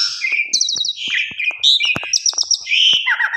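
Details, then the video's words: Jalak suren lure song: an Asian pied starling mixes whistled slurs, a rapid series of about five repeated high notes and lower warbled phrases, with sharp clicks scattered throughout. "Coba Putar 1 X Pancing Jalak Suren Dijamin Gacor Full Isian Suara Mewah"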